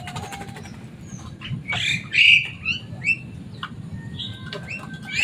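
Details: Pet Javan myna, loud and noisy and able to talk like a person, delivering a burst of harsh squawks and upslurred whistles, then thin drawn-out tones, over low hum.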